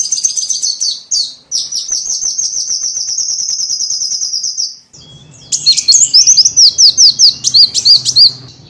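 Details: Small bird lure: a rapid, stuttering trill of high notes running about five seconds, a brief break, then a lively twittering series of looping, bouncy notes.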